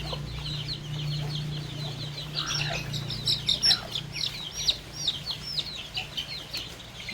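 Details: Many baby chicks and young chickens pecking at fresh termites on a farm; loud, rapid, down-slurred peeps overlapping throughout, growing more emphatic midway, above a steady low droning hum.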